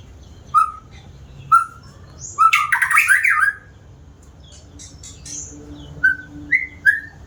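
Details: White-rumped shama, said to sing diligently, repeating clear short whistled notes about once a second, breaking into a loud rattling scratchy phrase, then resuming with a few rising whistles.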